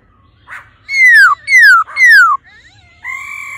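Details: A female laughingthrush calls 'ro ro' to stir the male: three loud, descending whistled slurs about half a second apart, followed by a steady, held whistle.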